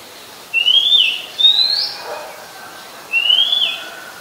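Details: Oriental magpie-robin singing at Ubon Ratchathani, Thailand, 17 July 2021; a pair of quick rising whistles, then after a pause a third that rises and drops, with a faint low buzz between.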